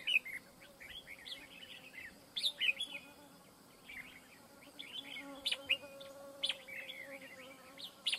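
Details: Red-whiskered bulbul at a trap used for luring fighting wild birds: short chirpy whistled phrases come in scattered bursts with sharp clicks, over a steady low hum and a faint background drone.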